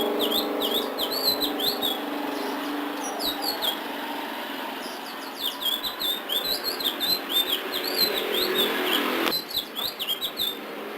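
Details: Sulingan biru style song of a ledekan laut, long streams of rapid, high, looping whistled notes in dense runs, with a pause midway and steady background hiss throughout.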